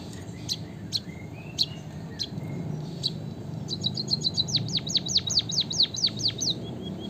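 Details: After sparse high clicks and faint thin tones, a white-headed munia (bondol haji) launches a rapid ticking series that turns into a long row of descending whistled slurs.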